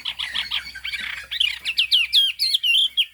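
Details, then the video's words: Singing Chinese hwamei, yellow-billed with a fig-leaf tail: chattering, scratchy notes give way to loud, looping whistled syllables repeated about twice a second, in high-pitched song. "Họa mi hót cao cầu"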